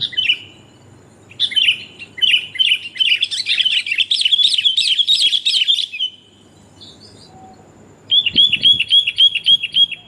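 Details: Luring recording of a female sooty-headed bulbul calling the male; long bouts of fast, bright chirping and slurred notes, a pause, then a neat evenly spaced series of repeated upslurred whistles.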